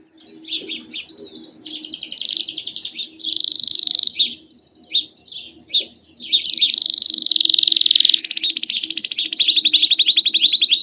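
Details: Canary song used to prompt other canaries to sing: long, dense rolling trills changing pitch in blocks, broken by short chirps, ending in a sustained rapid trill.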